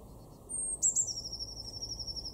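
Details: Garden blue tit recorded in February 2024 at Weener, East Frisia, Germany's far northwest, giving a thin high introductory tone, two sharp clicks, then a fast, even, high-pitched trill held for over a second.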